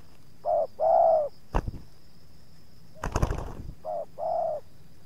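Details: Decoy spotted dove answering wild doves as two wild birds approach the yard, the second resisting a little. Two short-long coo pairs separated by bursts of knocking and rattling noise.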